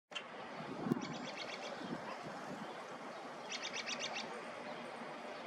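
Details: A robin, on a dry, warming spring day, singing two short phrases of high, quickly repeated notes a couple of seconds apart, over a constant hiss of background noise.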